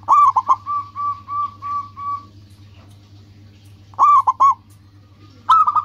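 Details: Local zebra dove singing actively, used as a lure to draw rivals: rapid stuttering cooing bursts near one pitch, a long run of even repeated coos, then two short clipped phrases after a pause; steady low hum underneath.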